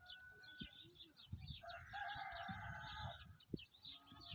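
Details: Black francolin giving one harsh, rasping call lasting about a second and a half, layered and grating, with busy high twittering from other birds and low rustling thumps throughout.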